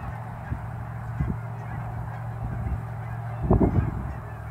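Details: Canada geese flying from ponds to grain fields for food just after sunrise in fall near Dawson Creek airport; scattered honks building to a loud burst of several honks near the end, with a steady low hum throughout.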